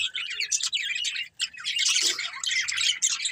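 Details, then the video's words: Pair of breeding budgies keeping up busy high-pitched chatter: scratchy warbling, quick chirps and squeaks that run almost without pause, with a short break around a third of the way in. "Cute Budgies Chirping Sounds"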